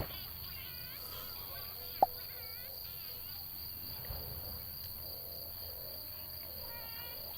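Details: Scopoli's shearwaters at night by a campsite in the Azores give strange, wailing, nasal calls in short repeated bursts over a steady high insect drone; one sharp click is heard.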